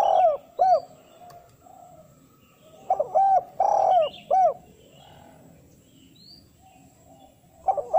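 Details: Spotted dove calling in a style said to summon females, used as a lure to draw wild doves into answering. Clusters of low, looping coos come in bursts: two at the start, four in the middle, and more at the end, with quiet gaps between.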